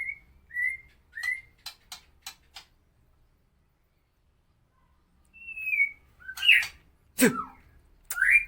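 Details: Harsh song of a Medan-type white-rumped shama, used to tutor other birds: a few short upslurred whistles and a string of sharp dry clicks, a silent stretch, then a descending whistle and loud harsh, buzzy notes.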